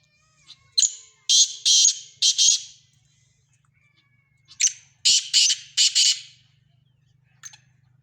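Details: Black francolin, a Sindhi kala teetar, calling twice: each phrase a loud, harsh, grating series of four or five rasping bursts over about a second and a half, separated by a pause, with a faint low hum underneath.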